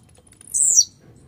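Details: One quick song phrase from an irritable, fired-up blue-black grassquit: a thin, very high buzz dropping steeply in pitch, lasting under half a second over a soft low rumble.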